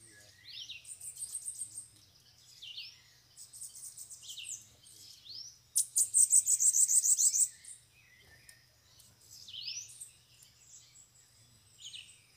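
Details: Bananaquit song during a campeada, with several free-flying birds arriving at a cage: very high, thin buzzy trills alternating with short downward-swept whistled notes, repeated in bursts every couple of seconds, one louder trill near the middle.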